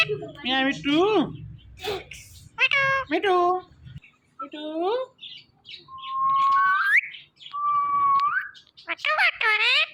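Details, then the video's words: Joyful pet parrot mixes short meow-like squawks with two rising whistles and a final burst of nasal chatter, a low hum under the opening seconds. "Parrot Speaking"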